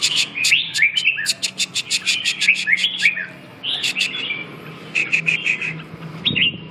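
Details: Red-whiskered bulbul delivering quick, chattering whistled phrases with a rhythmic run of crisp clicks. Phrases come in rapid groups, pause briefly, then resume with mellow slurred notes.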